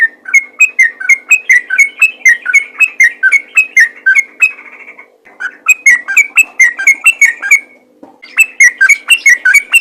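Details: Sooty-headed bulbul lure call meant to make other bulbuls reply. Bright whistled notes repeat quickly in up-and-down pairs, break off for a moment near the middle, then resume at the same brisk pace.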